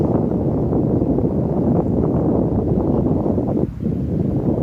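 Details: Loud wind buffeting the microphone, a dense low roar that briefly dips near the end, with no animal sounds.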